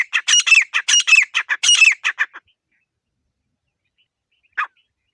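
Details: Grey francolin giving a short burst of harsh, ringing squawks in quick succession for about two seconds, then silence and a single isolated note near the end.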